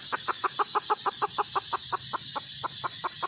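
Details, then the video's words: Red junglefowl hen clucking steadily, about three short clipped notes per second, evenly spaced over a noisy hiss. "suab poj qaib tsauj zoo heev"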